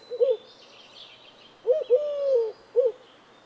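A dove gives soft, low coos: a short one, then a two-part phrase ending in a drawn-out note, then another short coo. Faint high chirps of other birds sound behind.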